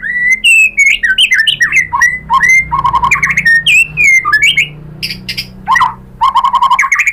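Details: White-rumped shama in full song, played to prompt other shamas to answer: a continuous stream of loud slurred whistles, trills and chattering notes with short buzzy bursts, varied and energetic.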